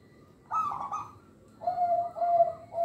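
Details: Local zebra dove song, used to lure and train other doves. One rolling trilled coo, then a steadier, lower purring phrase about a second later.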